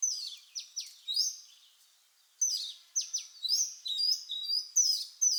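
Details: Oriental magpie-robin (Copsychus saularis) singing a varied run of clear, high whistles and sharp downslurred notes in quick phrases with a brief pause midway.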